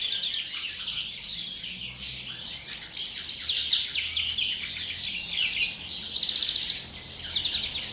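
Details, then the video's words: Captive European greenfinch singing before the breeding season: a dense, continuous high twittering of rapid chirps and trills, with louder bursts near four and six seconds. "canto del Verderón, precría"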